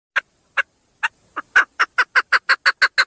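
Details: Female chukar calling: sparse single clucking notes that quicken into a fast, evenly spaced series of sharp chuk notes, each bright and loud.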